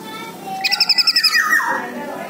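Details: Orange-headed thrush lure for a bird that has stopped singing: a quick pulsed trill of about ten notes, followed by a long slurred whistle dropping lower, over soft room noise.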